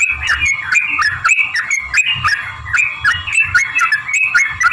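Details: Sooty-headed bulbul in lively, energetic song, a long rapid 'ropel' fighting-style performance used to lure other bulbuls into singing. Bubbly, slurred whistled notes tumble continuously, several voices overlapping, over a steady humming tone and faint low rumble.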